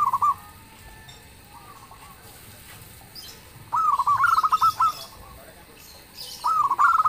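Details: Zebra dove of a local strain singing loudly enough to make other birds reply. One short coo opens, then two longer rippling phrases of rapid stuttered notes. Faint high chirps sound in the background.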